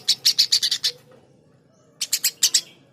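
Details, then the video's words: Eurasian tree sparrow uttering a quick run of seven loud, rasping chirps, then silence for about a second before five more chirps follow. "Burung gereja gacor"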